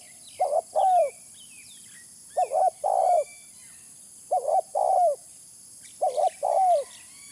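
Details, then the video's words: Spotted dove call used as a lure: four evenly spaced phrases, each two quick low coos then a longer purring coo dropping at the end, with occasional thin whistles of other birds behind. "Suara pikat terkukur original"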